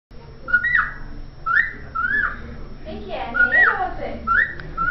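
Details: Pet cockatiel whistling the Vasco da Gama football anthem: short clear whistled phrases rising and bending, each about half a second, repeated several times, with a person's voice talking over the middle.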